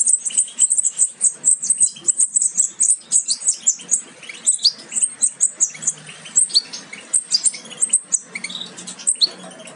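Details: European goldfinch nestlings almost ready to leave the nest, from a pairing of a Major carrier of aminet with an ancestral Parva; a dense, continuous stream of high, thin chirps and squeaks overlapping rapidly throughout.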